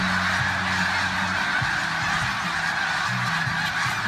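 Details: Massive flock of snow geese near Bridgeville, Delaware: a dense, unbroken roar of countless overlapping high honks blending into a continuous wash of sound, with a low steady hum underneath.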